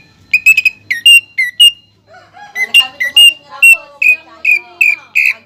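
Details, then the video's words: A greater green leafbird gives song with pelatuk bawang imitation: clustered whistles, then a steady series of loud, bright whistled notes, with faint lower warbling beneath. "CUCAK IJO GACOR ISIAN PELATUK BAWANG PALING DI CARI JURI"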